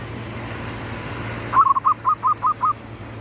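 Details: Zebra dove lure bird in the gedong mengo style at sunrise: one long phrase opening with a rolling stutter, then a string of five evenly spaced soft coos about every fifth of a second, low hum behind.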